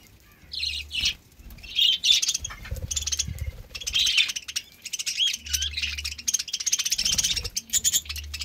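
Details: Pet budgies given summer green leaves to stay cool: dense high chirping and warbling chatter from several birds, with a low intermittent hum in the background.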